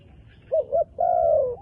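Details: Dark-plumaged wild dove: two clipped low hoots, then one long level coo trailing downward, clear against a quiet rural background.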